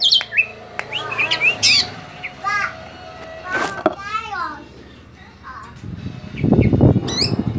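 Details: Javan drongo giving a varied string of harsh squawks, bright rising whistles and quick chirps in an uneven rhythm; a low rumbling noise swells near the end.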